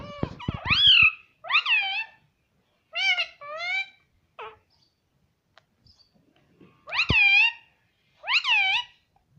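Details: Talking parrot saying mummy, repeating clear two-syllable arched calls in small bursts separated by silences of a second or more. Sharp taps are heard at the start.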